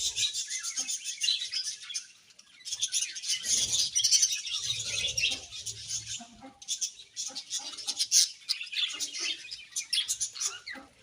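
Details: Budgerigar colony in a happy mood, many birds chattering at once: dense, high, scratchy chirps and warbles with a brief lull just after two seconds, then the busy chatter resumes.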